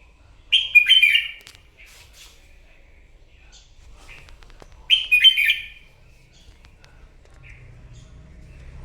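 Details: Morning competitive singing by a wild-caught red-whiskered bulbul: two loud, rapid warbled phrases about four seconds apart, each trailing into softer whistled notes, in an otherwise quiet setting.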